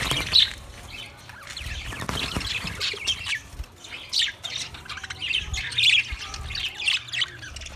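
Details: Budgie singing on 14 March 2024: chattering warble of squawky chirps and short buzzy notes, quieter at first, then louder sharp peaks in the second half, with some faint low background noise.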